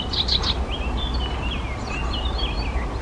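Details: Blyth's reed warbler (Acrocephalus dumetorum) singing in Czechia: a few sharp high chirps, then a steady, unhurried, varied run of short slurred whistles over a low background rumble.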